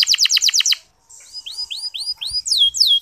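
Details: Local canary singing a clear, long training song meant to spur less eager male canaries to sing: a quick run of bright chirps, a short pause, then a series of high descending slurred whistles rising in loudness.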